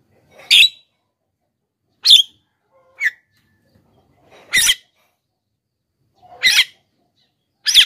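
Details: Javan myna used as a lure for wild and captive birds: six harsh squawks, some preceded by a soft lower note, at irregular intervals of one to two seconds.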